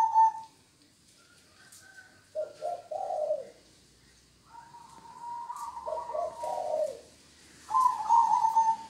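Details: Zebra dove of a local line in 'kong' style song, giving clusters of soft, rapid, low coos, then longer steady whistled tones, separated by quiet gaps.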